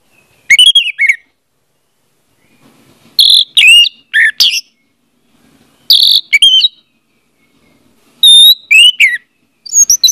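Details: Song of the orange-headed thrush serving as a lure for a silent bird: loud whistled phrases of rising and falling slurred notes, sung in bursts about every two seconds with quiet gaps between.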